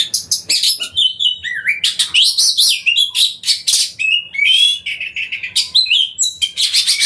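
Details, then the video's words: White-rumped shama in full song, played to provoke other shamas into singing: loud, rich run of varied whistles, sweeping slurs and harsh buzzy notes delivered in quick bursts without pause. "Pancingan Suara Kacer Gacor Buka Ekor! Buat Kacer Lain Pasti Ikut Emosi Gacor Ngobra"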